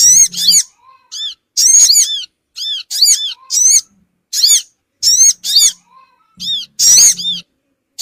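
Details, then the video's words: Sogon bird lure call for gathering small birds: rapid series of sharp, high, arched squeaky notes, often paired or tripled, repeated steadily through a quiet background with short gaps. "suara pikat burung Sogon ampuh cepat ngumpul"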